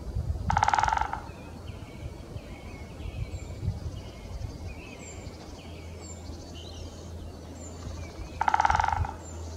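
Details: At Hagestad Nature Reserve, a great spotted woodpecker drums two short, rapid rolls, each about half a second, eight seconds apart. Faint songbirds and a low rumble fill the gap.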